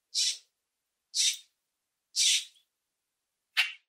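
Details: Common grackle (Quiscalus quiscula) calling in a backyard or on a nature walk: four harsh, hissing, high-pitched bursts, about one per second, against a quiet background.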